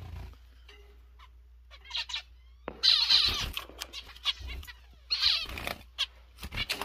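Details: Zebra finches in newly formed pairs: short bursts of nasal, buzzy notes with bright harmonic stacks, given in quick clusters separated by brief pauses, over a low steady hum.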